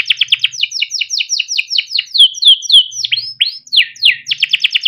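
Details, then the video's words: Timbrado canary, yellow, singing a melodic song: fast series of repeated downslurred notes, then swooping whistled phrases and a quick trill at the end. "Timbrado canary singing beautiful melodic songs"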